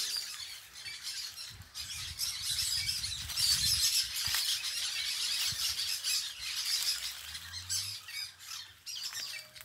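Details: Parakeets at a rural smallholding in Mirandiba, Pernambuco, Brazil, chattering in a dense stream of harsh, high, screechy squawks, several birds calling over one another rapidly, with faint low rumbling beneath.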